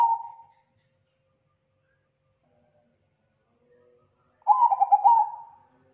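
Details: Zebra dove lure cooing, thick, loud and clean: the end of one phrase, about four seconds of near silence, then another beaded coo that fades out gently.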